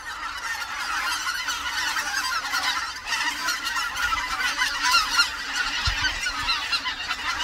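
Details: Wintering greater white-fronted geese on Korea's Cheorwon plain, a resting ground for winter migrants; many birds call at once, giving continuous high, yelping cackles that rise and fall in waves, little background noise.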